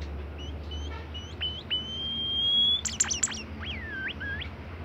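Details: A kept bimoli bird in active song gives soft short whistles, then a long level whistle rising slightly. A quick cluster of high chips follows, then looping slurred notes.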